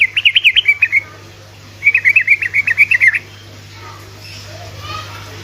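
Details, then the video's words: Sooty-headed bulbul singing to prompt other bulbuls: two fast bubbling trilled phrases of bright wavering notes, separated by a short pause, then near silence with faint background hum. "Trucuk ropelan GACOR🔥‼️ amunisi untuk burung trucukan malas bunyi otomatis langsung nyaut🔥‼️"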